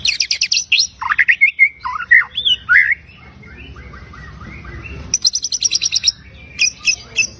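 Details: White-rumped shama singing a full repertoire, used as a lure for other shamas: rapid buzzy trills at the start, then sweeping whistles and slurred notes, a quiet pause, and more fast rattling trills near the end.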